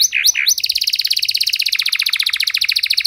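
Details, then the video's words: Canary song used to stimulate other, silent canaries into singing: two swooping slurred notes, then a long fast trill of rapidly repeated high buzzy notes that barely changes to the end. "Kenari Gacor Durasi Panjang Cengkok Istimewa! Efektif Buat Memancing Kenari Macet Biar Gacor Kembali"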